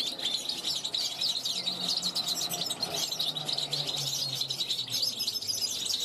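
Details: Caged young European goldfinch, hatched 2021, calling from a balcony to wild goldfinches going by. Unbroken high twitter and jingling trills, with a low steady hum in the background.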